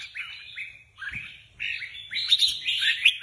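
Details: Caged Red-whiskered Bulbul, a competition bird being readied for a contest, sings short bright warbled phrases that rise and fall, in bursts separated by brief pauses and growing denser toward the end.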